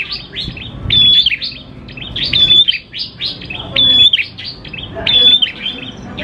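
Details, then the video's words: Prinia song for luring prinias to sing: four grouped bursts of sharp, high chirps spaced about 1.3 seconds apart, each led by a thin flat whistle. "PANCINGAN PRENJAK KLAWU GACOR, NGALUN BIKIN PRENJAK CEPAT BUNYI"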